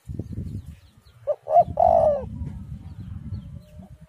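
Spotted dove giving three soft, hollow coos, two short notes then a longer, drawn-out slurred one, over a steady low rumble.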